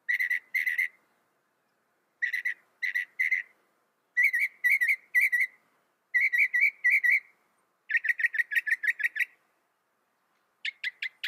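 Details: Northern mockingbird repeating short, clear phrases in pairs and triplets, with brief pauses between groups. The notes speed up into a quick run of about eight near the end, followed by a final sharp series.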